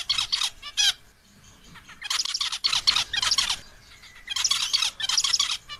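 A male zebra finch gives bursts of nasal, buzzy, harmonic notes while calling to a female.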